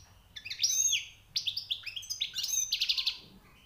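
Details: Newly caught European goldfinch singing high notes: a run of bright, twittering phrases with quick rising and falling whistles and buzzy trills packed close together, then fading out, with a low steady hum beneath.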